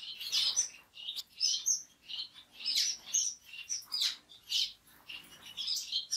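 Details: Orange-cheeked waxbill (Estrilda melpoda), a kept bird of a social species from central and western Africa, giving repeated high, thin chirps and short rising notes, several bursts per second in irregular clusters, with no other clear sounds.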